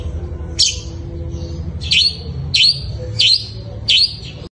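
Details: Long-tailed shrike singing in fighting style: harsh, grating bursts repeated about every two-thirds of a second, each a short rasping note, over low background hum.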